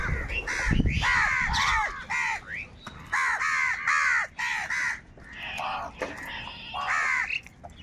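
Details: Several crows squabbling over food, a dense run of loud, harsh caws delivered in quick groups of two to four, nearly continuous, over a low rumble of background noise.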